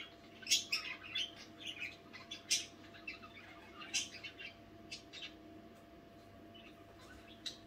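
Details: Budgerigars kept indoors chatter late at night, giving sharp, high scratchy chirps in clustered bursts about every half second, then trailing off into quieter notes, over a low steady hum.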